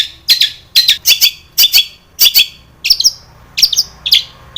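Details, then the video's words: Long-tailed shrike lure song full of mimicked phrases: paired harsh, scratchy high notes repeated about once every half second, turning to thinner twittering notes near the end. "SUARA cendet gacor ISIAN SARKASAR pancingan cendet agar bunyi"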